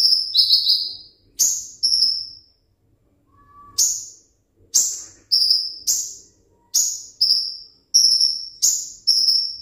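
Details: High, sharp downslurred chirps from a caged sunbird said to want the contest hanging stand. Short bursts are followed by steady, shrill whistled notes, with brief pauses and one faint low whistle between phrases.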